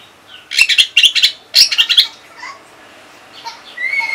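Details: Orange-headed thrush song played to train other songbirds, from Singaraja in northern Bali: a rapid run of bright, scratchy whistled notes, then faint distant chirps.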